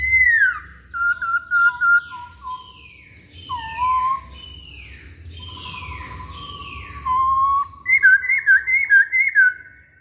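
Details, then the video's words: Masked laughingthrush song used as a lure to provoke other birds to sing: loud, clear whistled phrases, slurred downward and rising notes, ending with a rapid, rolling whistled series. "Pancingan Poksay Hongkong"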